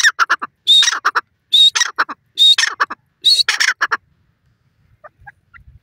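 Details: Grey francolin, known as Dakhni or Irani teetar: four loud phrases of a shrill upward whistle trailed by rapid harsh chattering notes, then the calling stops and only faint soft notes remain.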